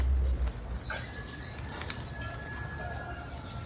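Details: Three bright, high-pitched falling chirps from a female blue-black grassquit, roughly one per second, over faint background noise.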